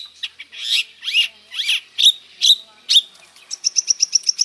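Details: Long-tailed shrike singing a mixed, fully filled 'isian' song: three harsh, buzzy downslurred phrases, then three sharp snapping notes, ending in a quick run of about ten short, high, evenly spaced chips.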